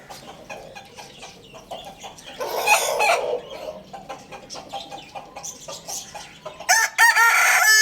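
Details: Rooster crowing amid steady clucking from other fowl: a loud hoarse crow in the middle, then a strong harmonic crow bursting in near the end.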